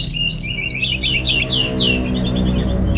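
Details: Caged orange-headed thrush in Singaraja, North Bali, used as pancingan and masteran; two level high whistles followed by a rapid cascade of sliding, downward-curving whistled notes, delivered continuously with steady low hum behind.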